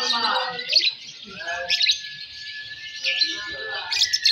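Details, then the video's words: Lovebirds competing in a Balibu song contest, fighter M1 and M2 rounds: a sustained shrill chattering with a drawn-out whistled tone and brief louder squeals, some people speaking in the background. "Suara Burung Loverbird Fighter M1, M2 Balibu Saat Lomba"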